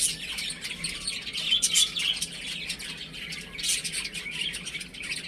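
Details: Chicks playing indoors at home, chirping continuously in a dense, overlapping chorus of high peeps with a rustling, hissy background.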